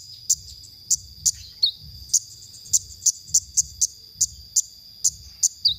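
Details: Sparse konin song from a songbird-training masteran: loud isolated high chips every half second or so, with an occasional falling whistle, over a quiet low rumble.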